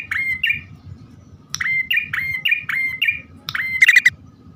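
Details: Bar-winged prinia male and female calling in a lure recording: rising chirps given singly and in quick series, closing with a loud, rapid rattle.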